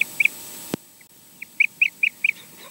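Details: Nest-camera recording of a wild osprey in Scotland around mating and nest changeover; two quick high chirps, a sharp click, a brief gap, then a string of five loud, evenly spaced whistled yelps.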